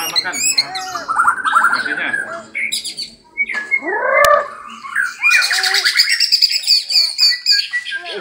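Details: White-rumped shama from Buntok in kesra style, delivering varied whistled phrases: downward-curving notes, a loud arched whistle near the middle, then dense high chattering trills and sweet warbles.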